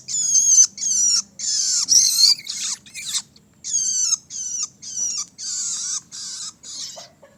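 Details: Young long-tailed shrike calling in a steady run of shrill, grating bursts, about eleven in seven seconds, each harsh and scratchy with a slight downward slur, spaced by short silent gaps.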